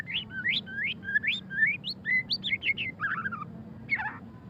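A white-rumped shama sings a rapid run of sweet, rising whistles and twittering notes, ending in a harsher chatter, over a low steady background hum.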